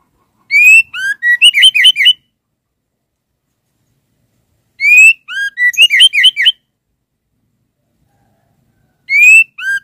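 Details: Female white-rumped shama calling for the male: three bursts of song, each a rising whistle, a lower slurred note, then a rapid cluster of chattering whistles, separated by about three seconds of silence.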